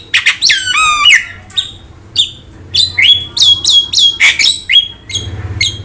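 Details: Javan myna song used as a prompting and training recording for caged birds: loud, varied whistles with rising and falling slurs and sharp chirps, in rapid bursts, over a faint low hum.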